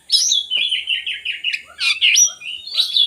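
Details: Oriental magpie-robin singing loudly, a recording meant to prompt lazy kacer into song: clear sweet whistles sliding down, then quick rising notes and scratchy flourishes.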